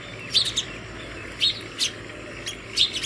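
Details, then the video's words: House sparrow calling other sparrows to food early in the morning at a home feeder: short bright chirps in small clusters, spaced irregularly across three seconds over steady low background hum. "Sparrow Bird Call other Sparrows for Food in the morning"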